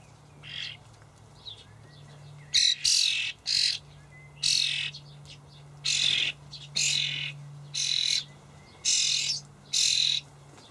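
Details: Young common starlings in a Hamburg allotment garden on 28 May 2012, fed dried buffalo worms by their parents, give harsh, hissing rasps about half a second long, roughly once a second in uneven bursts, over a low hum.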